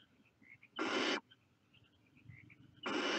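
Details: At the nest, young barn owls sticking their heads out let out two loud, rough hissing screeches roughly two seconds apart, separated by faint high chirps and a steady low background hum.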